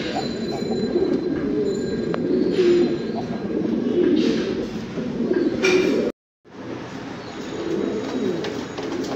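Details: Domestic fancy pigeons keep up a continuous low cooing chorus with repeated rolling phrases, interrupted by a brief silent cut before the cooing resumes.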